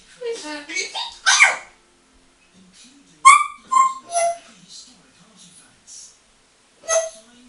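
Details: Eight-year-old hand-trained female grey parrot, molting, perched on a towel rail in a bathroom while playing; loud harsh squawks and whistled, speech-like bursts in clusters with pauses between, echoing in a small room.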